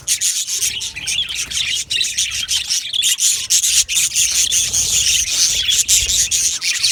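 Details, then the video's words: Loud, unbroken chirping from a colony of aviary budgerigars, a thin buzzy high twitter layered with sharp squeaks, steady in volume from start to finish. "Australian Budgie chirping sounds"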